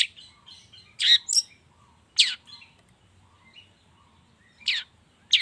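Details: Morning lure sound for long-tailed shrikes, played to make them sing: scattered loud, harsh downward-sweeping notes, a pair near the start and single ones later, separated by softer faint chirps and quiet gaps.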